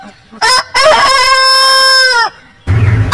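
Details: Rooster of a heritage breed crowing: a sharp opening note, then a drawn-out, level, harmonic-rich crow of about one and a half seconds ending abruptly, followed by a burst of rustling noise.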